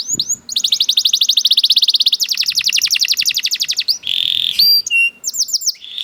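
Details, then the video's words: Canary song made of long, very fast rolling trills of descending notes lasting several seconds, followed by a short buzzy rattle and sharp high whistled notes and slurs. "The Lazy Canary Sounds Immediately After Hearing the Sound of the Canary This One || Voice of Canary"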